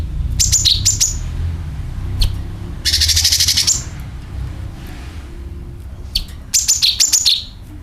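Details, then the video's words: Sooty-headed bulbul call with drawn-out rasp, played to lure birds: bright descending chirps, then a sustained harsh buzzy rattle lasting about a second, followed by further clusters of sharp falling chirps; steady low rumble underneath. "CUCAK KINOI ||PANCINGAN PALING AMPUH TERBUKTI PASTI IKU BUNYI SUARA PANGILAN + NYERET"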